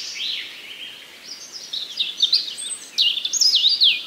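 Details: Common nightingale singing in a forest with other birds; soft high warbling gives way to louder, sharply modulated, zigzagging phrases repeated in quick succession over a faint background hiss.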